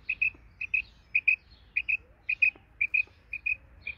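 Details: Female quail of Isabelle colour singing in a garden, clear rhythmic pairs of short bright chirps repeated roughly twice per second over a low, quiet hum.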